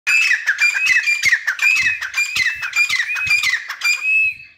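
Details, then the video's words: Grey francolin, known locally as teetar, calling loudly: harsh, ringing notes repeated in quick succession, each with a rising then falling shape, running continuously for over four seconds. "Teetar Making Beautiful Sounds | Teetar call | Teetar Voice | Gray francolin Voice"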